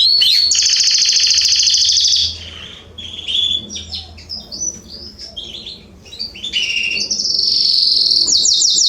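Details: In a garden in September 2020, a canary opens with a long loud buzzy trill, followed by softer varied twitters and chirps, ending in another rolling trill.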